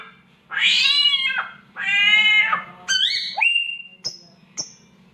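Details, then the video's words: A samyong copies a cat's mating yowl: two long, harsh, wavering wails, then stepped whistled notes and two brief high chips. A low background hum is present. "SAMYONG MENIRUKAN SUARA KUCING KAWIN"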